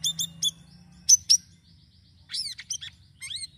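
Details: Sirisiri bird song for luring: quick pairs of sharp high chirps, then a burst of rich, slurred, descending and rising twittering notes, the phrases separated by short pauses.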